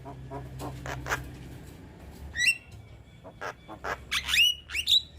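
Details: Young Javan myna singing steadily while nodding its head, intended for other mynas to learn from: rasping chatter followed by sharp rising whistled notes and harsh squawks, each spaced roughly half a second apart, over a faint low drone.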